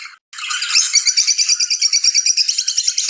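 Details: Excited mating chirps from lovebirds, a quick stutter then an unbroken run of sharp, high pulses about three per second, buzzy and energetic.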